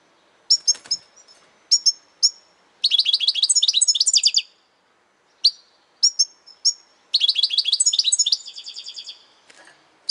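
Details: European goldfinch singing loudly: clipped single and paired chirps alternate with extended bursts of dense, rapid twittering, one ending in a fast, even trill, over about ten seconds of otherwise quiet background.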